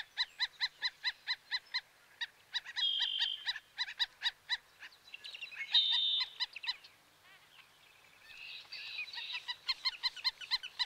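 Black-necked Stilt giving sharp, nasal yapping notes in quick bursts of about five per second, with brief pauses and a few thin higher whistles between series.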